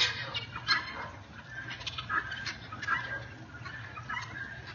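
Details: Guineafowl in a neighbourhood, described as loud birds, giving harsh broadband calls in a scattered series, several birds overlapping, with a low steady hum beneath.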